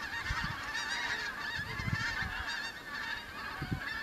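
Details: Autumn's first Pink-footed geese coming into the Kelvin Valley near North Glasgow on 25.9.21: a flock's wavering, overlapping honks form a busy continuous clamour, with occasional low bumps.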